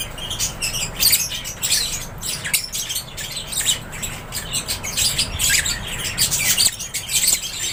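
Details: Lovebirds housed in an aviary trade sharp, high twittering calls and raspy squawks, many voices overlapping in uneven waves over a low background rumble.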